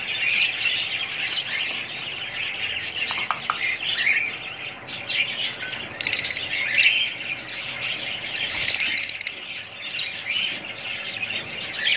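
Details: Several budgies keep up steady chatter, with busy overlapping chirps, short squawks and warbled twitters running without a break for twelve seconds.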